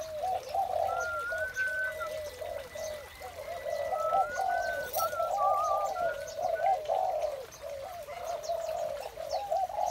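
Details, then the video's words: Morning chorus of spotted doves: low, mellow coos pour out in quick succession and overlap, while another bird adds a few thin, level whistles partway through. "Một buổi sáng tràn ngập niềm vui từ tiếng chim cu gáy"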